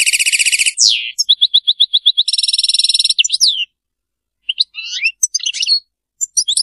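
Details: European goldfinch in Serfati-style song, opening with a rasping buzzy trill, then a string of clipped repeated notes and another buzz, a short silence, and sparse sharp chirps and twitters.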